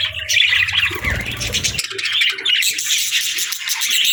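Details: Budgerigars chattering in a steady stream of buzzy, squeaky warbling and chirps; a short low rumble intrudes around the first second, then the chatter resumes over faint low thuds.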